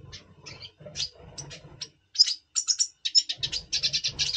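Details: Captive double pastel red siskin before breeding, November 2023: soft, scattered high chirps over low rustling and knocking, then a louder run of bright, rapid twittered notes.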